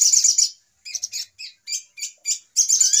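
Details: A Little Spiderhunter gives a noisy lure call: a fast run of sharp, high, scratchy chit notes, about four a second, with longer chattering bursts at the start and end.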